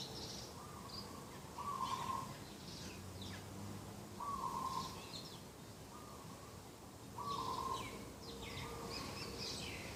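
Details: Garden-side morning dove call, 2 October 2021: a series of six short, trilled, buzzy coos at uneven intervals over ten seconds, with frequent high twittering from other small birds throughout.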